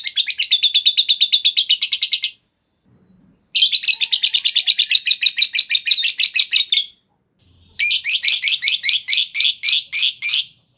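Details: Three long ngekek bursts from a lovebird, a lure and master call for other lovebirds: fast rattling chatter of high buzzy notes, each burst lasting two to three seconds, separated by short pauses.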